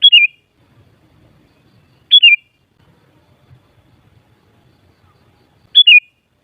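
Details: Sooty-headed bulbul heard in a recording for provoking other bulbuls to sing, repeating a short loud whistle three times at irregular intervals, each a high clear note falling quickly into a lower trill, quiet faint rumble underneath.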